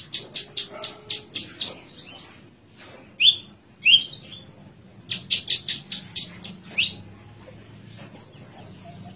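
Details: Horsfield's bush lark, spotted (trotol) type, singing in a cage while sitting relaxed: bursts of fast, sharp high chips, two loud upswept whistles in the middle, then another quick chattering run.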